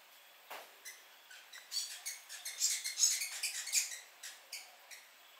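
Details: New Zealand fantail singing in the rafters at Belk Road South, Omanama, in March 2019: a string of thin, high squeaky chirps, irregularly spaced, swelling into a denser, louder run mid-phrase before thinning out again.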